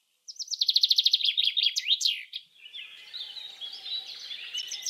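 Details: A Common Chaffinch (Fringilla coelebs) sings a bright, fast trill of about a dozen notes that drops in pitch and ends in a quick rising flourish, followed by soft twittering from other birds.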